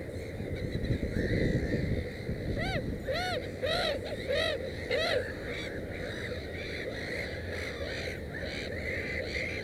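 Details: Black-headed gull at a nest with three chicks; a run of arched, ringing harmonic calls repeated about every half second in the middle of the recording, over a steady rushing background noise.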